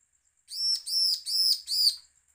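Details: Bar-winged prinia, threat call used to provoke other prinias to sing: a tight burst of four rasping, harmonically rich notes, each swelling and fading, with a thin constant whine in the background.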